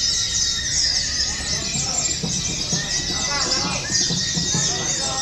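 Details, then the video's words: Oriental white-eyes in a song-competition simulation give a dense, high, continuous twittering song in long unbroken runs, with a murmur of voices and other chirps underneath. "TERAPI DAN SIMULASI LOMBA PLECI : FULL TEMBAKAN PANJANG PANJANG"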